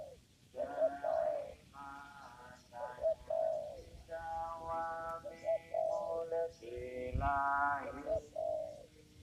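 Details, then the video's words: Spotted dove at a papaya garden where birds are trapped using a lure; soft, low coos repeated in clusters, mixed with longer harmonic-rich tones above them and a brief low knock near the end. "mikat burung tekukur di kebun pepaya"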